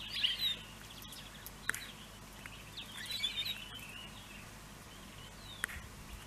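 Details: Pine grosbeak in Finland at Neljän Tuulen Tupa, March 2023: a few soft, high whistled notes, loudest near the start, scattered among sharp clicks and faint background noise.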